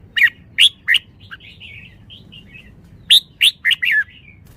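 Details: Red-whiskered bulbul delivering rapid bright whistled notes, three quick calls, a soft warbled interlude, then another fast burst of four lively slurred notes, clear against a quiet background.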